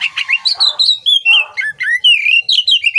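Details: Training song of an Oriental magpie-robin: a continuous, rich flow of loud whistled slurs and warbles, some notes rising, others falling, with a brief rattling chatter mixed in.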